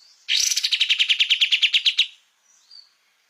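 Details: Kapas tembak, a bulbul, in a master recording for cage-bird training. It gives a burst of quick, sharp repeated chirps at a steady clip for nearly two seconds, then falls silent apart from a faint later note.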